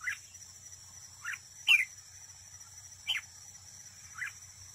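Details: Caged red-whiskered bulbul used as a trapping decoy, in a singing contest: short, separate chirped notes, some dipping and some rising, spaced about a second apart over a steady high-pitched background drone.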